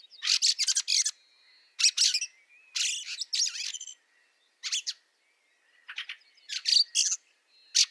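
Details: In snow at Liepāja, Latvia, in March 2023, a Fieldfare gives grating, chattering chack series in several clusters, separated by brief silences and thin high whistled tones.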